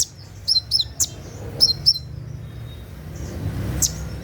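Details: Olive-backed sunbird at night, recorded for training birds: a few short, thin high chips and twitters in quick pairs, then quiet with a low background hum.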